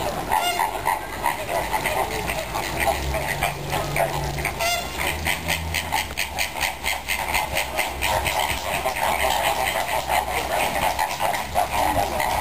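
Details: A dense flock of greater flamingos at Zoo Vienna on 6 October 2010 keeps up constant goose-like honking and gabbling, many nasal calls overlapping, with a low hum underneath for a few seconds.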